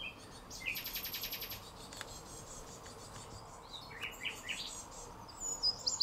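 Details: Fledged great tit chicks, just out of the nest and constantly begging their parents for food, give a fast, buzzy burst of high begging notes, then a few short rising chirps over background hiss.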